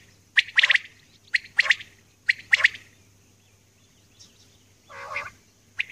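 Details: Female common quail calling early in the morning: three quick groups of rasping doubled notes, a pause, then one softer lower burst and a final short note.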